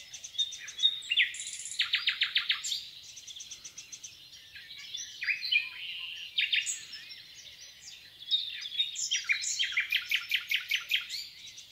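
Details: Common nightingale, Rawka river valley, Poland, singing phrase after phrase: clipped rapid rattles, a high thin whistle, pauses, then a rising sequence of loud repeated notes closing with a quick high trill.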